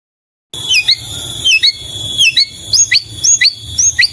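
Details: White-rumped shama song, melodious and varied: a steady high whistle runs beneath quick repeated falling notes that come about twice a second, after a brief silent start.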